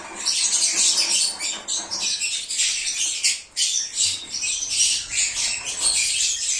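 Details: Lovebirds singing and chirping, a lure sound meant to draw an escaped lovebird back: dense, shrill, high squawking chatter from several birds that runs without pause, with brief dips in loudness.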